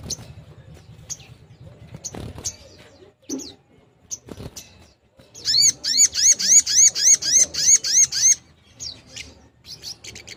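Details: 'Nembak' style song of a Long-tailed shrike, played to stimulate silent shrikes to sing and come into breeding condition: scattered sharp clicks and chirps, then a loud, even burst of about twelve ringing arched notes in three seconds, followed by more sparse chirps.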